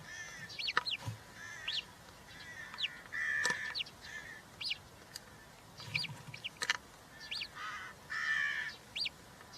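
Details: Three European roller chicks in the nest, 20 June 2023, filmed by a live camera while being fed: bursts of short arched squeaky calls and brief harsh notes, repeated in clusters over nearly ten seconds.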